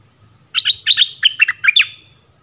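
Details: Decoy bird calling for a mate in a forest, recorded 13 January 2021: a quick series of about eight sharp chirpy notes, each a bright doubled chip, with a faint low hum beneath.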